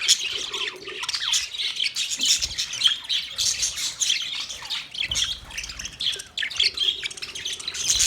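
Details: Male budgies chatter continuously with rapid, scratchy high chirps and squawks, a steady busy warble throughout.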